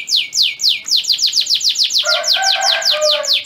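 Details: Male canary in breeding condition singing to a female: rapid series of downward-sweeping whistled notes repeated about four times a second, later joined by a lower buzzy warbling layer.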